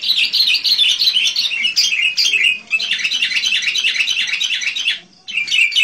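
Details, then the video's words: Sooty-headed bulbul singing busily in 'gacor' style for luring wild kutilang: a continuous, chattering jumble of quick high chirps and warbles, with one brief drop in sound about five seconds in before the chatter resumes. "SUARA burunh KUTILANG GACOR. cocok buat pikat kutilang liar"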